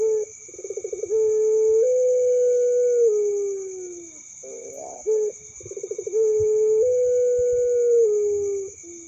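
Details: Two full calls from a young puter pelung dove, which calls by day and at night: each a rattling burst of quick pulses flowing into an extended steady coo that steps up, holds, and tapers downward.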